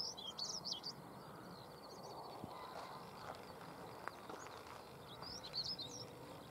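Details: Stonechat on a Suffolk heath, Cavenham, singing at 6:22 am on 22 March 2015: a high scratchy phrase at the start, a quiet gap with faint rustling, then another short twittering phrase.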